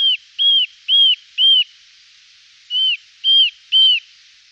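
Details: Eurasian nuthatch recorded in 2018: clear whistled, arched notes given in two bursts, four quick calls, a short pause, then three more, each note rising and falling sharply, with no other sounds.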